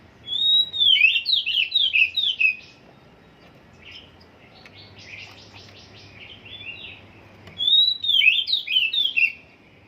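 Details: Oriental magpie-robin still in song training, singing loud bursts of rapid, high whistled notes that sweep and slur. A softer buzzy, rattling stretch follows, then another bright whistled burst near the end over a faint low hum.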